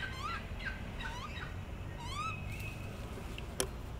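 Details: Newly fledged magpie begging from a neighbour's tree: a run of short, whiny upslurred calls, then a longer harmonic wail and a faint thin note, with a sharp click near the end and steady low background noise.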